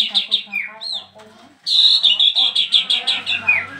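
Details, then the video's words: New caged bird chatters without stopping once uncovered: a few sliding whistles and chirps, then a loud, fast string of sharp high notes repeated several times a second. "BARU datang buka KERODONG langsung NYEROCOSS gak bisa diem"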